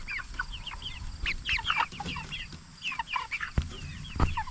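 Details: Cornish Cross broiler flock, jumbo birds 44 days old kept for meat, gives dense overlapping high chirps that bend down in pitch, tumbling rapidly together, with two sharp knocks near the end.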